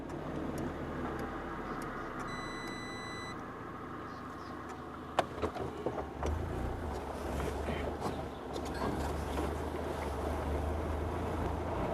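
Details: Steady vehicle engine rumble with a brief electronic tone and a few clicks and knocks; no animal calls are heard.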